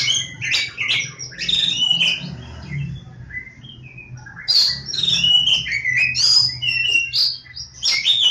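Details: Kacer Jawa, the Oriental magpie-robin, from Lebakgowah: loud, rich song of clear whistles and quick chirps, sliding up and down in short bursts with brief pauses, a steady low hum behind.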